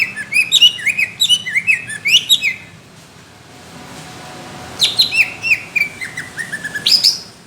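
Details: Greater green leafbird kept as a songbird, singing a competition-style song with rough, thick bursts: rapid bright chirped notes sweeping down from high pitch, delivered in a dense run, a pause, then another fast burst.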